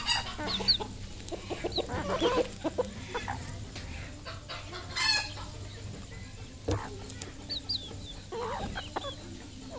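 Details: A decoy red junglefowl calling in sparse bursts. Short clucks and one loud, broad crowing phrase stand out against a quiet background with a low steady hum.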